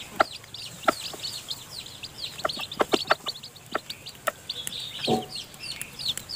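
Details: Newly hatched chicken chicks still in the nest while their mother hen feeds them. Constant high cheeping, short sharp clicks scattered throughout, and a brief low rustle near the end.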